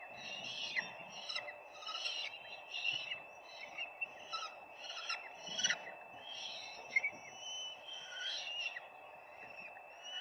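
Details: Nesting peregrine falcons on 4 May 2025, live nest camera: a rapid, irregular series of short, scratchy calls, several per second, over a constant low background hum.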